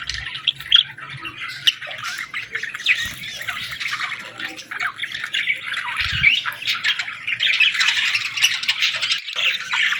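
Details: Young budgerigars chirping to be fed, a steady overlapping stream of high raspy chirps and squawks from several chicks, growing busier toward the end, with a few soft low thumps.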